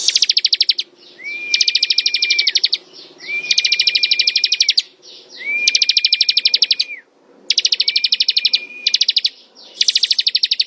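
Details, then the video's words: Bar-winged prinia (ciblek) singing in ngebren style: five bursts of rapid, buzzy, high clicking trills, roughly every two seconds, several joined by a level, drawn-out whistle slightly lower in pitch, with a faint low hum beneath. "Suara ciblek ngebren"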